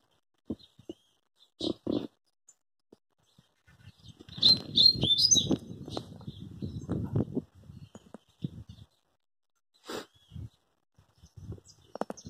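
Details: Rusty-collared seedeater song: a short burst of rapid, varied high whistled and twittering notes lasting about two seconds, set amid loud low rustling, knocks and handling thumps before and after.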